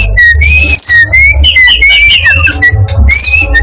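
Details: Black-breasted East Java form of the Oriental magpie-robin delivering rising whistled notes, some sweeping upward, linked by brief chattering, with a constant low droning background.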